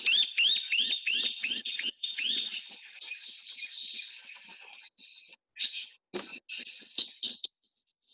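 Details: Chirping Cisticola heard on a boat trip during a Namibia–Botswana–Zambia birding tour: high, chirpy notes, each sliding upward, about three times a second, then breaking into looser, scattered chirps.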